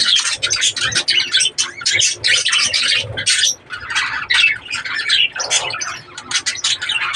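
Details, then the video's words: Breeding budgerigars give a busy flow of chirps, twitters and harsh squawks, with a short lull halfway before the chatter resumes; faint flapping under the calls. "breeding of budgies birds"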